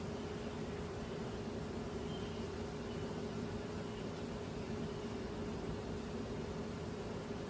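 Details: Unbroken drone of machinery or traffic with hiss throughout; no animal calls.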